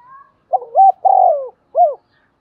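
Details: Spotted dove call heard on the first day of the lunar new year: a short phrase of low hooted coos, a stuttered opening note, then a long sliding coo and a final clipped note, clean and close.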